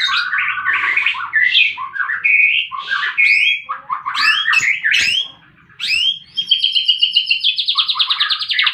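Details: White-rumped shama in a fighting bout, a recording meant to prompt silent birds into song: rich, fast, varied phrases of whistles and slurred notes, some harsh and chattering, ending in a long, buzzy, rattling trill.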